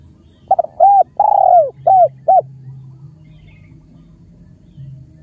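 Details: Spotted dove from Cambodia giving a rhythmic phrase of five mellow coos, two short notes, a longer drawn-out coo, then two short notes, with a faint low hum underneath.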